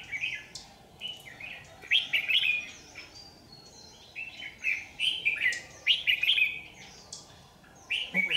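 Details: Red-whiskered bulbul serving as a lure at a power-line trap, 27 January 2019: a steady run of cheerful warbled phrases, closely spaced bursts of slurred whistles continuing throughout.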